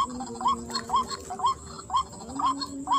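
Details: White-breasted waterhen calling in a rice field during luring, six sharp rising notes about half a second apart, each a quick upward hook, over a steady humming background.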